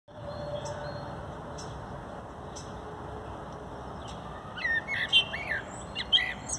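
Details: A common blackbird singing in mid-April in a park, perched on a gazebo roof, gives a brief fluted phrase of whistled notes that breaks into higher squeaky twitters near the end, over a steady hum of distant traffic.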